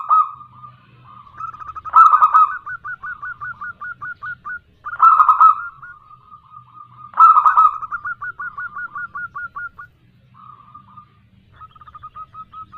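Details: Local female zebra dove calling a male, recorded for use as a lure: three loud throaty cooing bursts, each followed by a long run of quick, hooked, slightly rising notes at an even mid pitch, with a faint low hum beneath.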